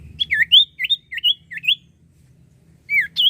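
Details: Lively common iora song meant to encourage silent birds to sing: paired, loud whistled notes that swoop down and up, repeated four times, then a pause and two more.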